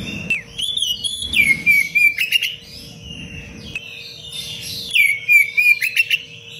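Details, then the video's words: Oriental magpie-robin pouring out dense song intended for tutoring other caged birds: clear falling whistles twice open into rapid trilled, chattering runs, separated by a brief quieter gap. "Kacer gacor cengkok rapat pedas untuk masteran"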